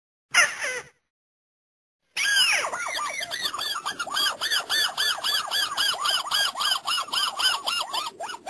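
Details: White-browed crake lure for ambush hunting, nets and snares: one brief squeaky burst, a pause, then a fast rattling chatter of looped, bouncing notes, about four per second, continuing to the end.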